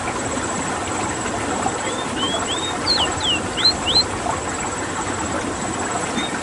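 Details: Ruddy-breasted seedeater (Sporophila minuta) from Suriname giving a short run of about seven clear, slurred whistles, first rising then sharply down-slurred, over two seconds against a steady mechanical rumble and hiss.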